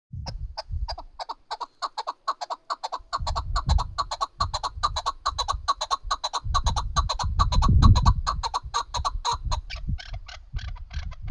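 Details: Hunting chukar partridge calling in a fast series of sharp, clucking notes, roughly two to three per second, building in rhythm through the clip, with low rumbling handling noise underneath.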